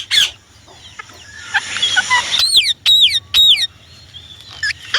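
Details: Indian ringneck parrot giving one sharp screech, soft chatter, then three loud piercing squawks about half a second apart, and a final short burst.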